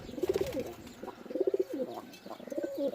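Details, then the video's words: Softer, more distant pigeon cooing in short repeated phrases of pulsed low notes, each swelling and dropping, with faint background hiss. "Pigeon Sound"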